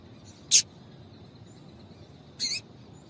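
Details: Female double-collared seedeater calling to stimulate a male: two short, sharp, high chirps about two seconds apart over a quiet background hiss.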